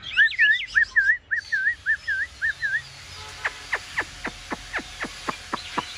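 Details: Chinese hwamei in a cage, singing freely after a bath, not paired with a male or female. A looping whistled note repeats about eight times in quick succession, followed by a steady run of sharp, evenly spaced clicks.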